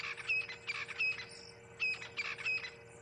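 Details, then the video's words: Crested francolins calling in an afternoon at Ngala Private Game Reserve, South Africa, 20 April 2020: harsh, scratchy rattling phrases in bursts about half a second apart, with faint light whistling, possibly blue waxbills, and a steady low hum. "So you can hear mainly the francolins calling, the crested francolins."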